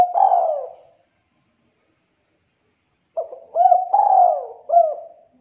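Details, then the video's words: Spotted dove, a prospective contest bird with a thick, clear voice, giving a deep cooing phrase, then after a three-second pause a stuttered series of short hooked coos around a long drawn-out falling coo; quiet background. "MASTERAN SUARA TEKUKUR CULHU KUK 2 SUARA TEBAL, JERNIH"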